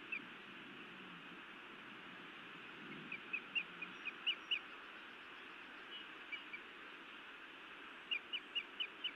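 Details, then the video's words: A female osprey scolds her mate at a Montana nest, evening of 31 May 2017, then bites him; repeated series of sharp, high whistled yelps in irregular bursts, with steady rushing noise throughout. "Feisty Iris scolds then bites Louis a time or two"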